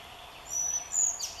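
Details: A collared flycatcher in Palace Park, Białowieża, Poland, on 30 May 2016, gives a few thin, very high, drawn-out whistled notes over a soft hiss of background noise.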